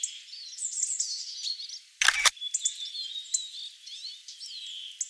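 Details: Hawfinches in Ivanovo give thin, high chirps and sharp squeaky notes, several birds overlapping throughout. A camera shutter clicks once midway.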